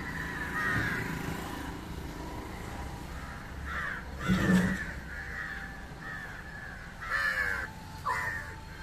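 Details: Harsh caws from an Indian jungle crow (Corvus culminatus) feeding on fish, spaced irregularly, with a dull thump midway and steady low background rumble.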